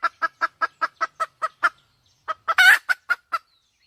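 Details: Red junglefowl hen giving quick, evenly spaced clucks, then a short pause, followed by a loud harsh squawk and a few more clucks.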